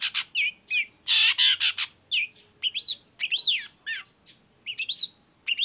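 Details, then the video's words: Long-tailed shrike, a lively baham-type cendet, sings as a lure to prompt other shrikes to sing. Loud harsh grating bursts are followed by varied rising and falling whistled notes and chirps, delivered rapidly with short pauses. "CENDET GACOR❗PANCINGAN CENDET BAHAM EFEKTIF BUNYI SANGAT COCOK BUAT CENDET LAINYA AGAR IKUTAN BUNYI"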